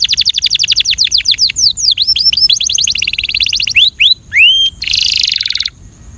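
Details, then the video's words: A Belgian canary sings a fast, high song of repeated tours: a quick string of descending chips, then swooping rising whistles, ending in a dry buzzy trill. "The Best Belgian Canary Singing Sound"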